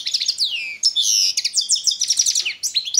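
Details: Competition singing from a Balkan goldfinch (Carduelis carduelis balcanica) entered in the 2022 World Championship in Goldfinch Song, Serbia: liquid twittering phrases with sharp descending whistles, a sustained buzzy note and tinkling chatter, without pause.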